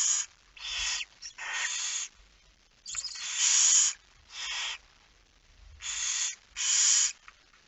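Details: Night feeding at a barn owl nest in Friesland, Netherlands, September 2019; harsh hissing shrieks repeated irregularly, roughly nineteen per minute, some running together, with faint low thumps.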